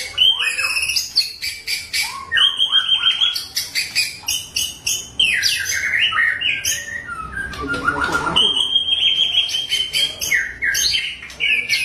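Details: Forest white-rumped shama of Bahorok in the wild, giving a rich, varied song: rapid bursts of high chirps, sliding and stepped whistles, a long level whistled note, and a falling lower slur, phrases following each other almost without pause.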